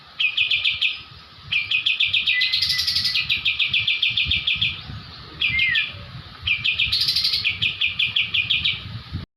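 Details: Javan white-eye in full 'ngebrem' singing on a songbird training recording: repeated bursts of fast, buzzy, high-pitched trilled notes with brief pauses between phrases and a few short whistled slurs.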